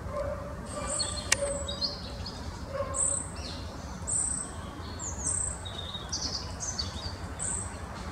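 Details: High, piercing short calls of a short-toed treecreeper, recorded 1 November 2015 at Oosterbegraafplaats, Amsterdam, the Netherlands; about a dozen thin notes, some descending, over a low hooting note early on and a sharp click, with a constant low-frequency murmur behind.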